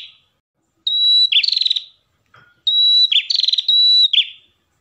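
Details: Ashy tailorbird pair singing: a sustained whistled note sliding into a pulsing buzz, answered after a brief pause by a longer whistle-and-trill sequence, with a soft low thump in between.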